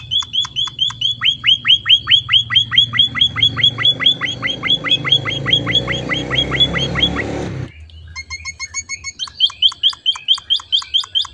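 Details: Emprit finch song in gacor isian style: loud, rapid runs of sharp, high chipping notes, roughly two per second, broken by a brief pause before the chips resume, with a low hum behind.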